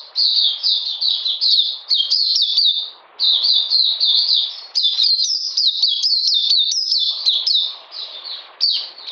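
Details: Oriental magpie-robin singing in cold, rainy weather on 13 June 2020: a fast, unbroken run of sharp, downslurred chirps, high and bright, with two brief pauses around three and eight seconds.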